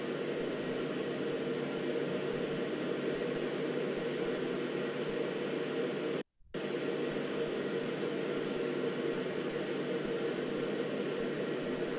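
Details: Steady broadband hiss throughout with a brief silent gap midway, and no animal sound.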